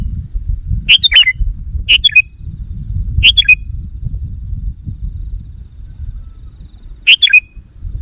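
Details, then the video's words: Lure call of a sooty-headed bulbul to excite wild birds: four rapid bubbly phrases of liquid, slurred notes, three close together and one after a longer pause, against a continuous low rumble and thin high hiss. "Suara Burung Kutilang Pikat GACOR Sekali Putaran Kutilang Liar Auto Emosi!"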